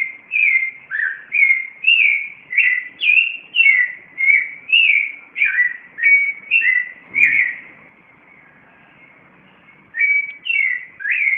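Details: Clay-colored thrush in Cartago, Costa Rica, singing at 4:45 in the morning: a long series of fluty, looping whistled phrases, then about two seconds of quiet before the caroling resumes.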